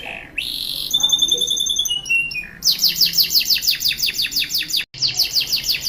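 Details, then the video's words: Canary kept in Pancoran, South Jakarta, in full lavish song, with bright sustained whistles, stepped falling tones and an extended fast trill of repeated down-slurred notes, broken briefly by a short gap. "Kenari gacor cengkok mewah & syahdu"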